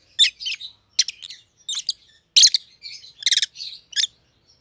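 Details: Shrill, rattling chirps from pet Rosy-faced Lovebirds, a white-headed pallid opaline and a white-headed green opaline, delivered in quick stuttering bursts over a few seconds.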